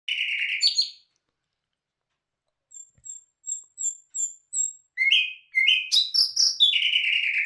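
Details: Nightingale singing a varied phrase: a buzzy rattling burst, a pause, then a row of thin high piping notes leading into fast tumbling, rising and falling warbled notes.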